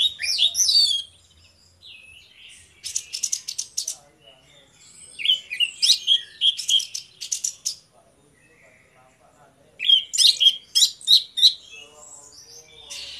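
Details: Two orange-headed thrushes singing in the morning, phrases of whistled slurs alternating with rapid rattling bursts of sharp notes, separated by brief quiet spells.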